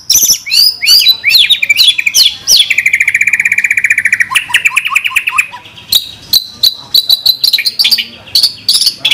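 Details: Training-style song of a white-rumped shama (murai batu) with 'tembakan' fill phrases. Quick varied whistles give way to a long steady rapid buzzing trill, then clipped high notes and sharp chips.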